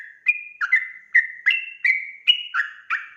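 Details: Sooty-headed bulbul 'gacor' lure song: a running series of short rounded whistles, each bending down or up, about two to three per second, clean with no other sounds.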